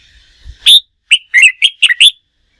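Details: Bold opening upslur, then a lively string of five warbled whistled phrases from a red-whiskered bulbul trained for singing contests.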